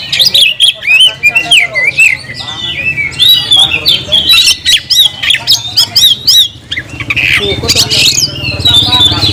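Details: Oriental magpie-robin singing loudly to call a rival to fight, a rich, fast stream of varied whistles, slurred rising and falling notes and harsh chatter, with sharp clicks and a low hum underneath.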